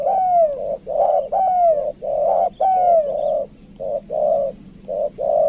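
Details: Spotted dove kept as a lure bird for trapping, a 'kuk dua' type caller from Lombok. It gives a steady run of deep, mellow coos, some rising then sliding down, repeated close together about once a second.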